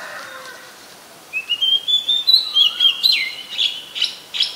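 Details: Oriental magpie-robin recorded in Ubon Ratchathani, Thailand, on 7 January 2021: after a soft start, a long sweet whistled phrase rises into a string of clipped, sharply dropping notes.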